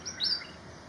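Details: A Malaysian pied fantail (Rhipidura javanica) in flight in Malaysia gives a single thin, high chirp, a quick bright note that rises slightly and fades, over a faint background hiss.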